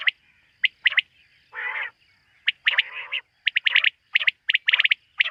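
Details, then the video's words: Night calling of quail: sharp chirps in doubles and triples plus two longer rough, buzzing notes, one near 1.7 seconds and another near 3 seconds. "Bater ki rat wali awaz ۔۔quail sound of night"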